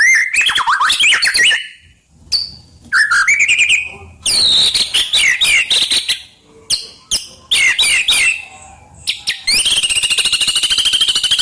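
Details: Active white-rumped shama delivering loud bursts of rich whistles, sharp upslurred notes and harsh chattering phrases separated by brief silences, closing with a sustained high rasping trill.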